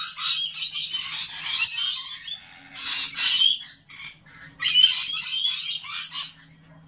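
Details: Rainbow lorikeets, a flock of fifty or more excited birds at a feeder, crowd together in dense high-pitched screeching chatter, coming in bursts of two seconds or so with short pauses, over a faint steady low hum.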